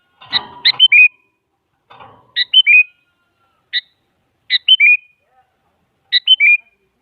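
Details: Sooty-headed bulbul (kutilang) giving short, bright whistled phrases of three or four quick downward-stepping notes about every one and a half seconds, after a brief opening rustle; a lure call used to make quiet bulbuls answer.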